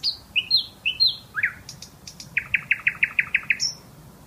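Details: Bulbul singing a sequence of falling slurred whistles, then a fast even trill of about eight repeated chirps and a final high thin note, with soft background noise.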